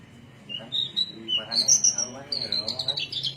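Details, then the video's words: Javan myna song from Cilacap, Indonesia: separate high whistled notes climbing in pitch, then a bright sustained whistle and a chattering series of sharp high notes, with little background noise. "Kicau javanica cilacap"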